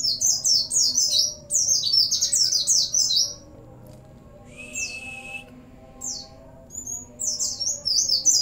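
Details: Busy Oriental white-eye song with Cililin, sambung bren and cigun fill. Two bursts of rapid high twittering, a pause with a single downslurred note over a drawn whistle, then the fast twitter resumes. Continuous low hum.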